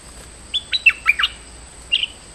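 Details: Stripe-throated bulbul, a recording to lure a territorial resident: a short, somewhat quieter phrase of four or five whistled notes, then a pause and one final brief note.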